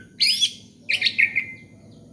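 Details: Orange-headed thrush song played to lure young birds: two bright bursts of rapid, twittering chirps, the second made of quick warbled notes and a trailing thin whistle, over a faint low hum.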